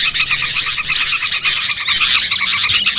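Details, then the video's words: Dense chorus of small birds used as a lure to attract birds for catching, including bulbuls, sparrows and other small birds; continuous overlapping high chirps, twitters and short whistled notes with no pause throughout. "MP3 PIKAT BURCIL AMPUH BIKIN PANEN BANYAK BURUNG"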